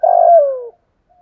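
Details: Caged decoy spotted dove with the 'thổ pha' song style, calling and challenging to fight: one rough, buzzy coo lasting under a second that slides downward and fades, then silence.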